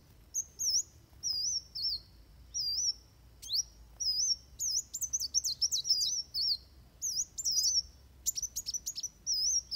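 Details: Van Hasselt's sunbird fighting song meant for training birds: repeated high, thin looping whistles at a steady pace, broken by sudden sharp downward flicks and bursts of quick chattering notes.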